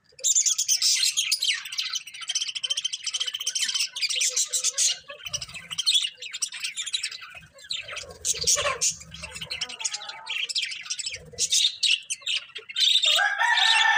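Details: Colourful budgies chirping together in a dense, continuous chatter of high, scratchy twitters and quick squeaky notes, with brief low thuds in the background.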